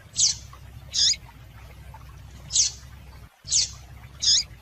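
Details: Female double-collared seedeater (coleiro) call, used to stir males into singing: five brief, high, thin chirps spaced about a second apart at an uneven pace, over a faint low hum.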